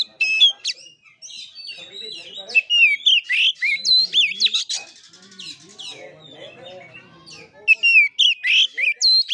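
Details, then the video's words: Kura kura style fighting song of an oriental magpie-robin: bursts of loud, clear swooping whistles with a softer buzzy, chattering passage in the middle, then fast ringing notes repeated about four per second. "KACER NGEPLAY TARUNG|GAYA KURA KURA"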